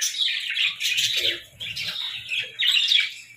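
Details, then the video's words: Parakeets in the morning giving bursts of bright, high chirping and twittering that swell, fade briefly near the middle, then return loudly, with faint low murmuring underneath. "Morning Chirping Parakeets"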